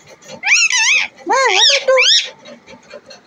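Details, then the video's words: Native desi parrot kept as a talking pet utters three quick, rasping, speech-like phrases that rise and fall in pitch, followed by quiet. "देशी तोता🌻बोलने वाला | Deshi Tota Bolane Wala | Deshi Parrot Talking"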